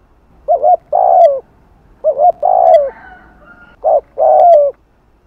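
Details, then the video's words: Spotted dove, its afternoon cooing used to attract and rouse other doves, in the Vietnamese 'hạp bổi' voice style; three deep phrases, each a short double coo and then a longer drawn-out coo that falls at the end, spaced about one and a half seconds apart. "Tiếng Cu Gáy Giọng Hạp BổI THÚC + GÙ"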